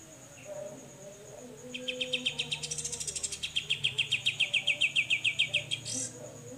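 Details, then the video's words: Besetan song of a grey-cheeked bulbul, described as clear-voiced. After a quiet start, a long run of rapid, evenly spaced high chips builds in loudness, then ends with a brief upward flourish. A thin constant high tone persists. "BESETAN CUCAK JENGGOT"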